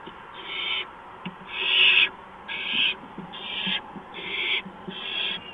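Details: Rasping screeches of a barn owl at its nest in the early hours of 6 March 2015 during a mouse delivery; six harsh, noisy bursts follow one another at about one per second.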